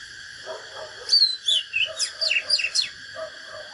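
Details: Oriental magpie-robin fighting song from a natural bird, used to rouse rivals: a lively burst of rising and falling whistles and quick upsweeps, with soft low chirps before and after.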